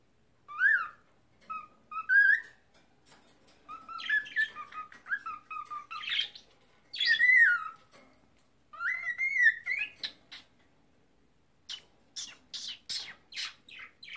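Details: A pet cockatiel trying to talk and sing warbles rising and falling whistles mixed with chattery, speech-like squawks, ending in quick sharp chirps; indoors, no other sounds.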